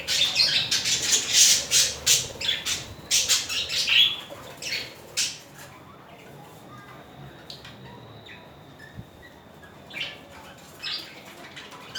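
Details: Budgerigars in a mating pair, showing romantic behaviour: about five seconds of rapid, harsh chattering notes, then near quiet with a faint thin steady tone and a few scattered chirps.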